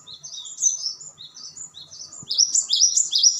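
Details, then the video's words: Cinereous tit singing repeated high whistled phrases, softer and sliding at first, then a louder, bright series of rising-falling notes in quick rhythm during the last second. "Dijamin burung glatik batu langsung respons."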